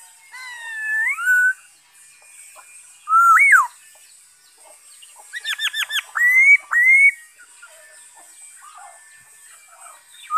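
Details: Black-throated laughingthrush singing, recorded 5 May 2021: rich whistled phrases that rise and fall, a quick stuttered series of short notes, then two upward-slurred whistles, with faint background hiss.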